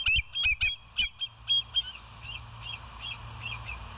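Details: Bald eagles at the West End nest on a live nature cam, 20 July 2023 at 05:04: a burst of loud high piping notes, then a fading series of softer chattering whistles over a low steady hum.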